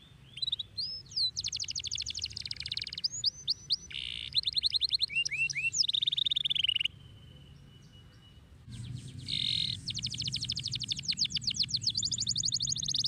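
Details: Canary song in bursts: whistled sweeps and buzzy rolls, a long steady whistled note, a short quiet break, then a loud sustained rattling trill with rapid repeated notes, over low hum.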